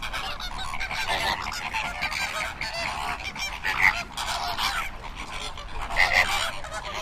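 A flock of flamingos keeps up a dense, continuous chorus of nasal, goose-like honks. Many calls overlap, with slightly louder bursts near the middle and the end.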